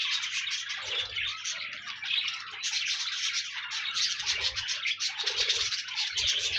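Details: Pet budgerigars, or parakeets, kept to encourage a lonely budgie to sing: continuous chattering warble of dense buzzy and scratchy notes, several birds overlapping, with a low steady hum beneath and occasional thumps.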